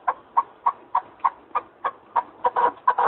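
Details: Partridge in Arguvan, Turkey, repeating short, rough chuck notes at a quick, even pace of about three per second, the last few coming closer together and fuller.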